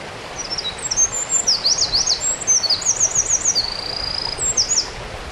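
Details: Eurasian wren singing along the Kogesawa forest road in Ura-Takao: a long, rapid, very high-pitched outpouring of sharp chirps, fast buzzy trills and zigzag runs, with one sustained trill in the middle, over faint steady background noise.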